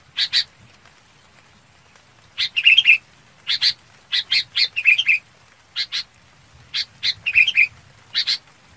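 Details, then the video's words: A red-whiskered bulbul calls its flock with paired rasping notes spaced through the recording. Brief bubbling, warbled phrases recur about every two seconds against a quiet background. "Tiếng Chào Mào Bông gọi bầy"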